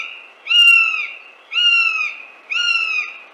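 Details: Northern Goshawk from Central Russia calling three drawn-out, nasal, slightly falling wails, each about half a second long and repeated once a second against a quiet background.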